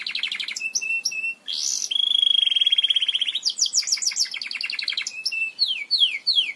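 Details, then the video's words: Belgian canary singing to instruct other canaries: a pulsed trill, brief pauses with clicks, a long evenly beaded roll, a chain of quick rising notes, then several downward-sweeping whistles at the end. "CANTO PARA ENSINAR CANÁRIOS BELGAS"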